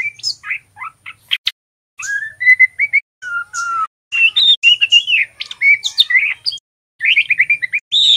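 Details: Young male white-rumped shama learning its ngeriwik song: varied whistles, slurred notes and sharp chips in repeated bursts, ending with a fast series of rising chirps.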